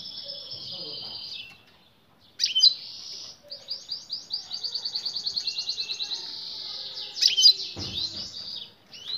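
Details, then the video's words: European goldfinch female calling to win the male, who starts singing in reply; long stretches of high, buzzy, rapidly pulsing trills with brief pauses and a rustling knock near the end. "بتبتة أنثى حسون تجبر الذكر على مزاوجتها على الفور حين تغنى تلفت أنتباة الذكر ويبدأ بالغناء"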